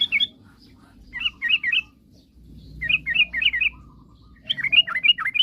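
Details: Sooty-headed bulbul in lively song aimed at provoking rivals: three short bursts of rapid, high, twittering whistles separated by quiet gaps, with faint low hum.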